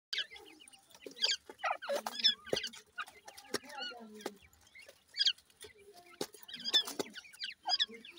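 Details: Grey francolin (teetar) chicks feeding, giving a busy stream of thin, high peeping chirps, many short and upslurred, overlapping in quick irregular bursts with brief pauses between clusters.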